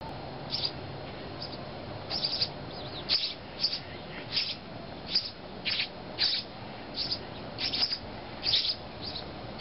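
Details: Sparrow chicks, thought to be house sparrows, being fed by their parents in Calgary: short, high chirps in irregular bursts, several a second at their busiest, over a steady low background hum.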